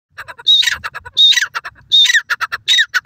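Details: Grey francolin, called teetar, calling fast in green grass in Pakistan: loud, harsh squealing phrases repeated about every three-quarters of a second, separated by shorter clipped notes.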